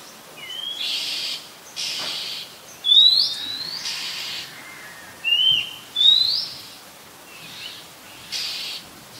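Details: Oriental magpie-robin, a very common resident, recorded in Ubon Ratchathani, Thailand, on 18 April 2022 with a Nikon P1000: clear, high whistled notes, short rising slurs and longer upswept whistles, spaced irregularly about one to two seconds apart.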